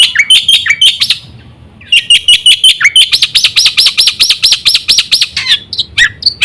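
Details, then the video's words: Black-winged myna song played to lure other mynas into singing: loud, bright chirps in quick runs, then a steady series of about a dozen rising-falling whistled notes, each roughly a third of a second apart. "suara burung jalak putih full isi sekali pancing semua jalak kaget gacor"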